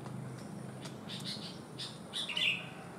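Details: Sooty-headed bulbul, a bird with one abnormal leg that still sings lively. A single brief whistled flourish near the end, preceded by soft clicks and rustling against a noisy, hissing background.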